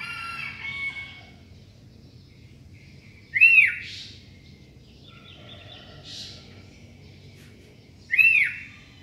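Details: Sooty-headed bulbul singing in the morning: brief bright whistled phrases, each a quick rising and falling note, separated by long pauses over steady low background noise.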